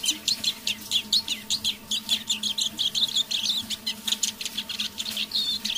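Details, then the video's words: Tame decoy Eurasian siskin warbling quietly at evening: an unbroken stream of sharp high chirps and twitters, roughly three or four per second, with occasional wheezy slurred whistles, over a faint hum. "Песня моего манного чижа"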